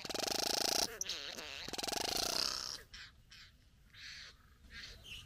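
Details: Courting a female at the bower, a satin bowerbird delivers a loud, fast mechanical buzzing rattle for nearly three seconds, then softer hissing buzzes.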